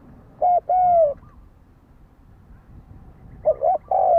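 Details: Lure spotted dove kept to provoke wild doves: one full coo phrase, a short note and then a long descending coo, and after a pause a second phrase beginning with a quick double note, over soft hiss.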